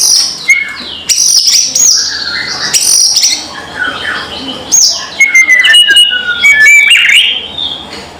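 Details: White-rumped shama kretekan call meant to provoke rivals: rough squawky high notes and whistled slurs in irregular bursts, with faint low hum beneath.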